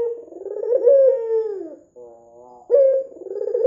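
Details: Red-eyed white ringneck dove, a keen caller, in a lure recording meant to make doves call. A long, wavering coo slides downward, followed by a soft rattling purr and then a fresh loud coo.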